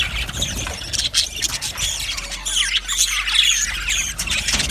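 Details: Budgerigar colony in an aviary, many birds chattering at once: dense overlapping squawks, squeaks and warbled chirps, high-pitched and continuous, with brief dips around one and two and a half seconds.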